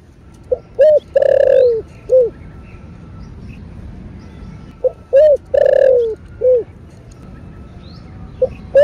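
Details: Spotted dove calling in the thổ bầu style. Three coo phrases, each with short low notes leading into a long falling note and a short ending coo, and a steady faint whine in the background.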